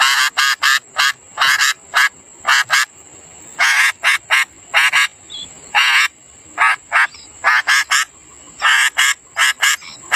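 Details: Young sooty-headed bulbuls begging as a parent feeds them. Loud, harsh, raspy bursts, each under half a second, come in quick runs of two to four, about twenty bursts in ten seconds, with a steady faint high tone behind.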